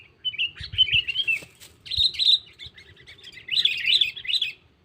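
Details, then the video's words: Sooty-headed bulbul lure call, calling a rival for trapless catching: continuous bubbly chirping phrases that swell and fade in three waves, with soft low thumps underneath. "Suara Burung Pikat Kutilang Cengkeram || Kutilang Memanggil Lawan"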